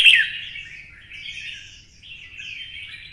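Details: Red-whiskered bulbul in Vietnam, caged and stirred to sing for fighting in the twisting style: a sharp opening note, then rapid, scratchy warbling phrases running on without pause over a faint low hum.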